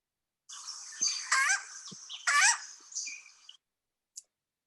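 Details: A Cuban green woodpecker, a Cuban endemic, gives about three seconds of harsh, raspy chattering with two louder, grating bursts, then falls silent apart from one brief squeak.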